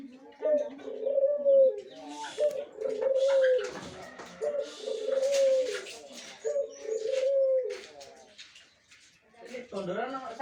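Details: Caged adult Barbary dove, mature and ready to be a master bird, repeats long, steady, slightly wavering coos about every two seconds, with human voices and rustling between phrases.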